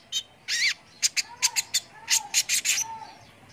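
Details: Sunbird (kolibri ninja) song for tutoring competition birds: a buzzy opening note, then a quick uneven series of sharp, very high chirps about two and a half per second.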